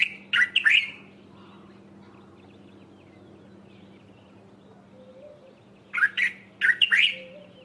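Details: A dark-capped bulbul on a treetop early in the morning calls in short bursts of two or three bubbly, slurred chirps, one group at the start and two more near the end, over a low steady hum.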